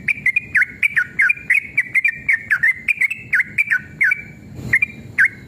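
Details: Sooty-headed bulbul, male, in heated, long rapid song used to prompt other bulbuls to respond. Steady streams of short, rolling whistled notes, several per second, dip and rise throughout, with a brief pause near the end.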